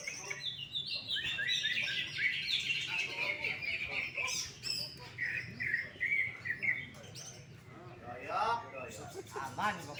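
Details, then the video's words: Greater green leafbird performing at a songbird competition and taking first place: a rich warbling stream of high chirps and whistles, varied and rapid, with brief harsh notes and background chatter. "CUCAK IJO FOLLUM PEDES MUTLAK KEBAKARAN JUARA 1"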